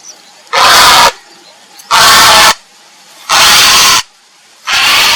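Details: Grey heron calling for a mate: four very loud, harsh, drawn-out croaks of about half a second each, evenly spaced nearly every 1.4 seconds, with near silence between.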